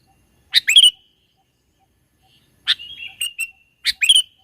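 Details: Mountain sooty-headed bulbul used as a trapping lure: three bright, chirpy phrases, each a sharp note followed by a short whistled tail, spaced over a few seconds in quiet surroundings.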